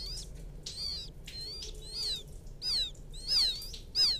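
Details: Quail chick in a rice-field setting calling to its mother: high wavering peeps, some trilled, repeated irregularly at moderate volume over noticeable background noise.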